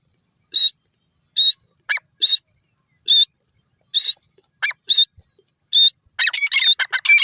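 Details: Grey francolin, known as teetar, repeating short shrill notes about once a second, then ending in a burst of rapid, jumbled, higher squeaky notes.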